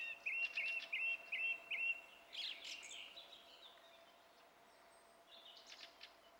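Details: Song thrush song recorded 27 April 2016, opening with one clear whistled note repeated five times, then a burst of harsher, higher twittering notes, with a quieter phrase near the end.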